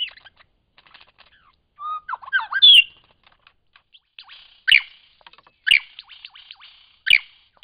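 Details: Lyrebird in Cape Liptrap Coastal Park, singing a varied sequence: scattered soft ticks, a low whistle, then loud sharp downward-sweeping whip-like notes recurring about once a second, with faint chatter between them.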